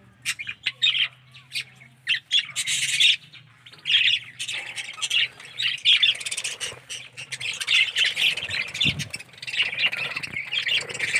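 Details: A flock of budgerigars in an aviary chatters constantly, with scratchy warbles and sharp squawks overlapping.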